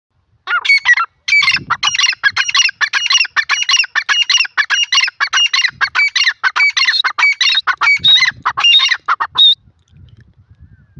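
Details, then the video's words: Francolin (desi teetar) giving a loud, rapid run of harsh, harmonic chattering notes, packed closely together for about nine seconds before stopping abruptly, followed by faint low rumbling. "new desi teetar sweet awaz teeter bird lovely sounds"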